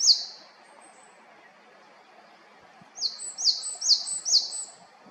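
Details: Japanese tit in Haenam, South Korea: one high note at the start, a long quiet pause, then a quick run of five bright, sliding high notes near the end.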